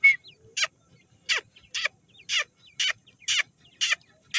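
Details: Grey francolin chicks from Sindh being fed give steady bursts of harsh, high, raspy calls, roughly two each second, over a quiet background.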